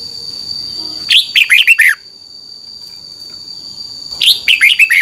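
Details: Caged-bird training song of a Red-whiskered bulbul: two rapid phrases of five clear, downward-sliding whistles, about three seconds apart, over a constant high-pitched hum and soft background noise.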